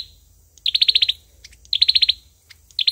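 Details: Olive-backed sunbird fighting song, bursts of about seven rapid, high, sharp notes with short clicks between, repeated three times.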